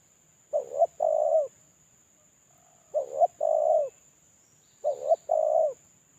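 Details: Spotted dove kept as a decoy, moulting and calling alone, giving a lure call: three phrases about every two seconds, each a short wavering double note then a long hollow coo, over a faint steady high electronic whine.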